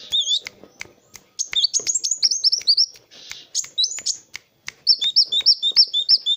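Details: Kolibri wulung sunbird singing busily, a master song for other birds to learn: quick high twittering whistles in a fast trill, ending in a steady run of evenly repeated sharp notes.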